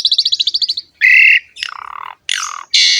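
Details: Asian pied starling (jalak suren) in full lively song, used for training and luring other starlings: a fast rattled trill, then a flat buzzy note, a falling harsh phrase and two more grating squawks.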